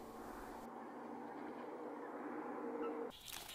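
Steady broadband noise, like wind or handling, with no clear animal call.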